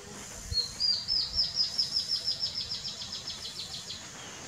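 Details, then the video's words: An immature Double-toothed Kite gives a thin, very high whistled series, about three notes a second, slowly fading over four seconds above a low background rumble. "Double toothed kite"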